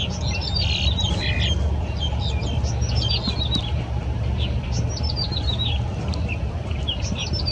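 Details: At Yingfeng Riverside Park along the Keelung River, 14 April 2017, a yellow-bellied prinia: an opening buzzy burst, then runs of quick descending chirps repeated through the clip, against a continuous low hum of distant traffic.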